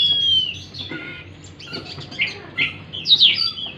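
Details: Oriental magpie-robin song used to coax a stressed, silent bird into singing: a long falling whistle opens, then scattered rasping chirps and a loud twittering flourish near the end, with low background hum.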